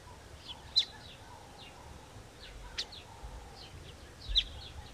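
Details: Weaver birds building a nest chatter in a busy tangle of short, high chirps and squeaks, several birds overlapping, with a few sharp clicks and soft background noise.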